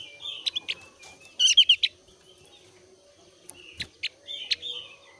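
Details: Javan grey-throated white-eye of the thin-browed type, in breeding condition, singing as a lure for other white-eyes: short sharp chips, a loud mid burst of rapid high chattering notes, then more scattered sharp notes.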